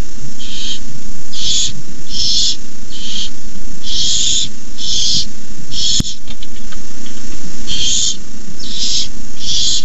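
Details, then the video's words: Barn owl owlets hissing at the nest at night as an adult delivers a rabbit, 9:57pm on 18 May 2015, nest camera; harsh broadband hisses about half a second long, repeated roughly every second, over steady low hum. "Owlets hiss."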